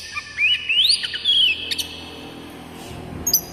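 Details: Oriental magpie-robin song played to prompt other magpie-robins to sing: clear whistled notes sliding up and down, one long rising whistle, brief high squeaky notes near the end.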